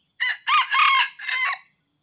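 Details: Red junglefowl crowing while being lured with a decoy by a trapper: a loud harmonic crow in four segments, a short note, then a long sustained middle phrase and a falling end, with a steady high insect hum behind.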